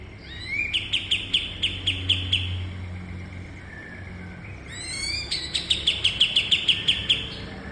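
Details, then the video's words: Kapas tembak bulbul, a cage-bird training recording: two bursts of rapid, evenly spaced sharp chirps, each opening with an upslurred whistle, separated by a pause of about two seconds with faint background noise. "Burung Masteran Kapas Tembak"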